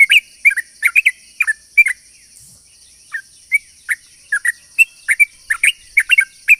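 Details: Sooty-headed bulbul singing a long, rapid, chatty lure song used to draw in other bulbuls: short bubbly whistled notes, often in quick pairs, with uneven gaps and a brief pause near the two-second mark. A steady faint high hum runs underneath.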